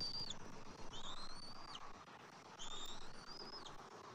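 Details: During a morning feeding at a bald eagle nest on 27 January 2024, with the adult male delivering fish to the eaglet: two long, high whistles that rise slowly and drop off sharply at the end, over rumbling background noise.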